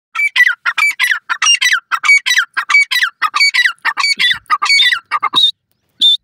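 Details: Francolin (teetar), a female talking to her chicks as if teaching them to speak; loud, nasal, squawky harmonic notes repeated rapidly, about one and a half per second, ending with a few higher drawn-out cries.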